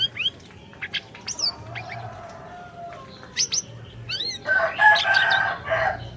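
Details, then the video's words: Orange-bellied leafbird in song, used as a lure for a non-singing bird: thin high slurs and chips, then a loud harsh rasping phrase with a steady whistled tone near the end. "Masteran Burung Siri Siri Gacor, Cocok Buat Pancingan Burung Siri Siri Macet BUNYI"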